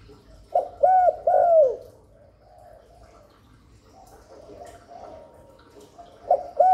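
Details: Spotted dove cooing to lure wild doves to the perch and stimulate newly caught captive doves; soft, low hooting coos in a quick cluster of three early on, a long pause with faint background murmur, then two more coos at the end.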